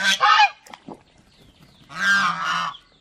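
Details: Domestic geese at an aquarium park in Mysore, India: a short loud harsh honk, a pause with faint knocking sounds, then a longer drawn-out nasal blare.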